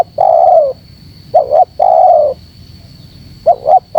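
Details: Spotted dove call meant to rile wild doves. Two long, slightly falling coos alternate with short paired notes, over a low rumble and a thin continuous high tone.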